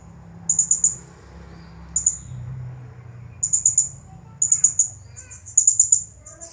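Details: Champion Blue-crowned hanging parrot performing the 'nagih hutang' song style, repeating bursts of four very high, quick chirps roughly every second, with a short single note between and a few faint lower whistles.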